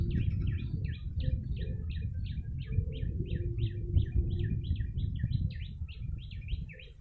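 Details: Rapid chattering series from a yellow-bellied prinia, used to lure birds: crisp dipping chirps repeated many times without pause, set against dense low background noise.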